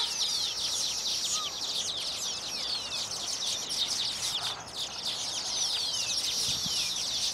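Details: Baya weavers' mating song at finished nests, birds fluttering both wings while clinging on. Busy high chattering and falling whistled sweeps, a short low note near the second mark, chorus slightly quieter midway.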